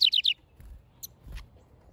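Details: Backyard house wren, a male at work on a nest, sings three loud, high, falling notes in quick succession, then a few soft clicks in quiet.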